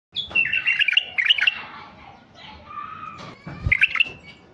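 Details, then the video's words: White-eared bulbul song from a mutation male, played to stir raw wild bulbuls: bright, bubbly warbled phrases around the upper-middle register, two quick bursts, then a lower sustained whistle and a final chattering burst. "تغريد بلبل عراقي طفرة فحل لفتح البلابل الوحشية الخام"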